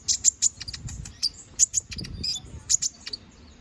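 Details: Canary in lively 'gacor ngobra' song for training magpie robins: a dense stream of very high, sharp chirps and ticks in uneven quick clusters, with faint low background rumble.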